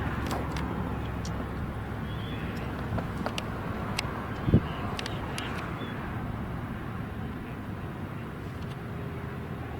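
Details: Steady low rumble of passing traffic and wind, with a few faint clicks and one brief thump, with no animal voice.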